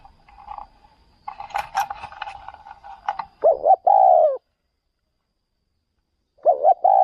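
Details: Spotted dove taken out to lure wild doves in another province: after a burst of rustling and clatter, loud low hooting coos begin, then a pause and another pair of coos.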